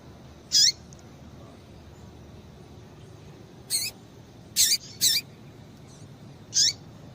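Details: Female double-collared seedeater piping to warm up a male: five isolated short, shrill call notes separated by long gaps, the middle pair close together, each with a faint lower falling tail.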